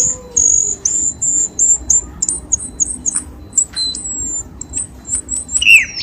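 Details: Cucak keling lure call for stirring kept birds to sing: a run of very high, thin whistled notes, short and evenly spaced, ending in a lower hoarse rising squeal.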